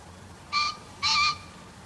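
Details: Green pheasant call from a field-guide recording: two loud, harsh, strongly harmonic notes, each about a fifth of a second long, spaced half a second apart, over a quiet background.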